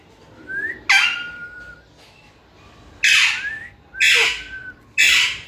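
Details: Parrot mixes rising whistles and level tones with four loud harsh squawks spaced about a second apart.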